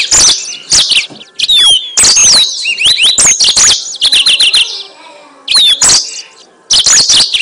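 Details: Yellow-fronted canary song played as a lure for trapping birds: loud, fast, high-pitched run of sharp chirps, trills and sweeping whistled slurs in dense bursts separated by short pauses.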